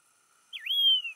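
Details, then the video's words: A Yellow-throated longclaw (Macronyx croceus) at Saint Lucia, eastern shores, KwaZulu-Natal, South Africa, gives a single clear, high whistle that dips briefly, swoops upward, then slides slowly down, over a faint steady background hum. "Yellow Throated Longclaw Call"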